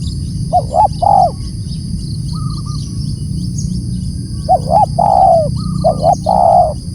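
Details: Spotted dove calling loudly: two bursts of low, hollow cooing notes, each a quick pair of short coos followed by a longer drawn-out coo, separated by a pause, over steady low background rumble.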